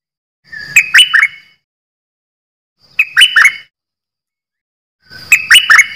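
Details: Three short chattering phrases from a caged decoy bulbul, one of three such birds, each about a second long, made of quick sliding chirps, separated by silence.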